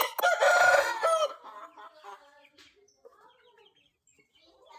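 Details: Índio Gigante rooster crowing: a loud, harsh, harmonic-rich call that ends after about a second, followed by faint chirps of small birds in the background.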